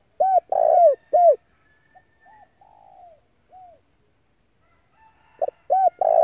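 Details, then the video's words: Spotted dove calling as a decoy to lure other doves: bursts of three to four loud hoarse coos at start and end, separated by softer, longer falling coo notes and a quiet pause. "Tiếng cu gáy mồi gáy gọi kích bổi căng lửa"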